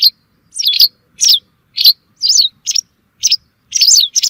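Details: High, sharp chirping calls of a white wagtail, offered as a hunting lure: short, bright notes with quick downward sweeps, coming in close pairs and singles with brief silent gaps.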